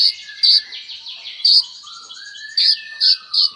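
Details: Olive-backed Sunbird (kolibri ninja) delivering sharp high piercing notes at irregular intervals, about one per second, above faint descending trills and a soft low whistle.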